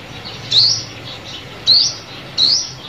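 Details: Sunbird call used as a lure for trapping: three thin, high, rising chirps spaced roughly one second apart, over a faint hiss.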